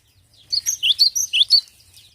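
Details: Cinereous tit (glatik batu) song used as a lure for other birds: a short rapid series of about seven high, sharp chirps in a quick even rhythm.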